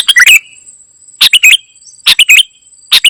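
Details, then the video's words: Kutilang emas (ruby-throated bulbul) in lively gacor isian song. Rapid bright chirped phrases of three or four clipped notes recur roughly every 0.8 seconds against a thin constant high-pitched hum. "Ternyata seperti ini suara burung KUTILANG EMAS 😲 gacor isian"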